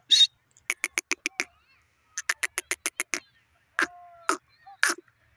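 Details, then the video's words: A kept francolin (teetar) gives harsh, grating notes in quick bursts of five or six, then a few louder separate calls, in an otherwise quiet setting. "teetar ki beautiful awaz"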